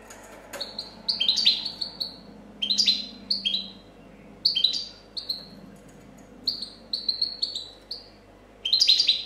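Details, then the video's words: European goldfinch, a 2014 competition champion, singing clean copia-style song: clear whistled notes that slide downward, some doubled or stacked, given in short bursts separated by brief pauses, with a quick chattering flourish near the end. "Chardonneret chant copia champion 2014"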